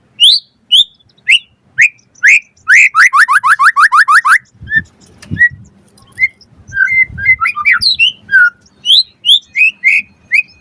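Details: White-rumped shama song for training birds to answer: spaced rising whistles, a rapid descending trill series, then a quieter mix of scattered chirps and whistles over a low hum.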